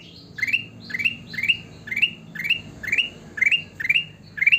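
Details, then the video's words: Sooty-headed bulbul repeating one rising chirped phrase about ten times, spaced roughly every half second, each climbing steeply then holding a brief high note, some faint overlapping higher notes behind, low background hum. "burung kutilang emas gacor"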